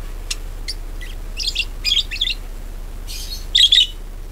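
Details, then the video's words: Budgerigar warble used as a lure to make other birds sing: a few thin ticks, then two clusters of chattering, slightly buzzy chirps about two seconds apart. "PANCINGAN PARKIT AGAR GACOR"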